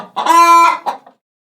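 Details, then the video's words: A farm chicken gives one drawn-out, nasal squawk of about half a second with a rough start, then a brief trailing cluck. "Great job. If you listen closely, you can hear the chickens clucking."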